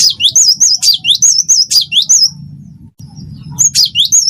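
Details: Wingko-style song from a cinereous tit in full voice: a rapid string of high, wavering whistles, each note bending downward then rising, about six per second, breaking off before a fresh burst starts, over faint low hum.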